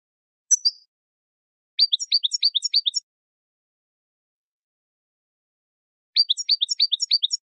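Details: Training song of a European goldfinch: after a lone high chip, two fast strings of bright, downward-sweeping twitters, each lasting over a second and separated by a long silent gap; clean recording without background noise.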